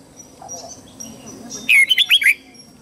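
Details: Red-whiskered bulbul morning song for training birds: faint high thin tones at first, then a loud quick phrase of four or five warbled, chirpy whistled notes near the end.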